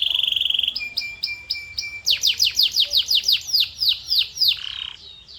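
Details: Canary song that opens with a steady buzzy tone and a string of short clipped notes. It then bursts into a fast, loud series of descending whistled sweeps and ends with a brief, lower rasping burst.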